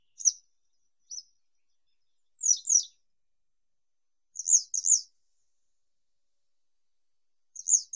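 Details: High chirps from a yellow wagtail (Motacilla flava): two short single notes, then three quick doubled notes at intervals of about two seconds, with a clean, quiet background.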